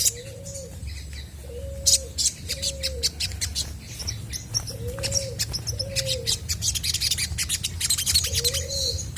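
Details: Singing chestnut-backed scimitar babbler used to provoke other birds into answering; six low hollow whistled notes in loose pairs over about nine seconds, set against continuous high twittering from other birds.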